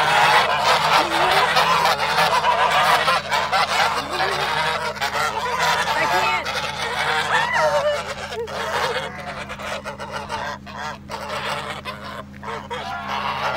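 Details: Attacking swan goose: a loud continuous stream of layered, grating honks and squawks that fades slightly toward the end, with a low constant hum in the background.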